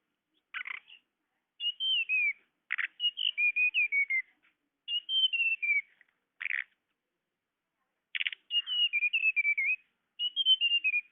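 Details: Tledekan, a blue flycatcher, in a recording for luring birds: repeated phrases of sweet whistled notes sliding downward in steps, each phrase opened by a short harsh buzzy burst, with pauses between.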